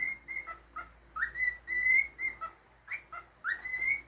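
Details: A pet cockatiel whistles bright sustained notes separated by brief lower blips, with strong rising slurs opening phrases near the middle and end, heard against a quiet background.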